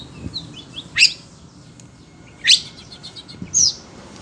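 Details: Oriental magpie-robin (kacer), a kept bird worked up by the sound of other birds, gives three loud, harsh, high bursts about one and a half seconds apart, with soft twittering between them and a low background hum.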